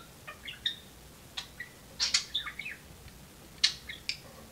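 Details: Talking pet budgerigar playing on a perch in a home cage with a companion budgie; scattered high chirps and brief warbled phrases, some grouped in quick clusters, over a quiet room.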